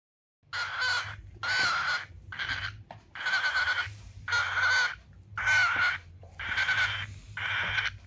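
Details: A cockatiel, filmed while eating food, gives harsh, raspy screeches, about one per second, over a low indoor hum.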